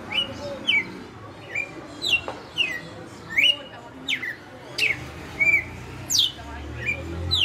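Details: Açoite song from a caged red-cowled cardinal kept for five years: a long series of sharp, falling whistled notes, some steep and high, others short slurs, delivered at an uneven pace of under a note per second.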